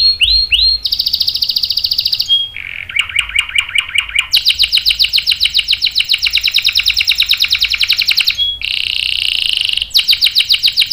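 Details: Canary in full song, used as a lure to set other canaries singing with long rolls: rapid trills change pitch in turn, low rolling notes, a long high buzzy roll, then a steady whistled trill and more rolls.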